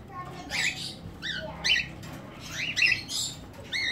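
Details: Courting cockatiels at a Medan breeding farm, a pair mating for the first time. Rapid sequence of rising, slightly harsh chirps and squawks, several in quick succession, over steady low-level room noise.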